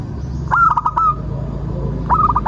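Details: Zebra dove, called perkutut locally, singing to draw out other birds: two short phrases of quick falling coos closing on a held whistle-like note, over a steady low hum.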